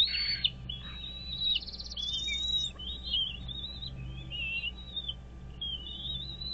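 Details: Wild American bald eagles at their nest on Dale Hollow Lake, a reservoir on the Kentucky-Tennessee state line, watched by nest camera on 17 April 2023 at 07:24; thin, high wavering whistles and chittering notes over a steady low hum.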